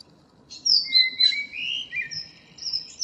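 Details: Morning song of a common blackbird, 2 April 2013: a brief burst of high thin squeaky notes and sliding whistles, with no low fluted opening heard.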